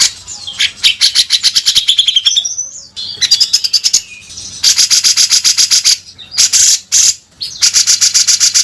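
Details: Bearded bulbul singing vigorously in the rough 'beset kasar' style: bursts of rapid, harsh repeated notes high in pitch, run together into long buzzy rattling phrases with brief pauses between them.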